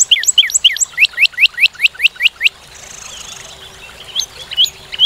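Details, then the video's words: Northern cardinal singing in North America: a fast series of about a dozen clear, down-slurred whistled notes in quick succession, then a pause with faint high chips. "Cardinal:Découvrir le chant et la beauté du Cardinal du Nord"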